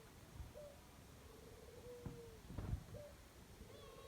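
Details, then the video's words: Dove in the jungle giving low, trembling coos with short upturned notes between them, partly masked by thuds and rustling handling noise. "Dove birds sound jungle"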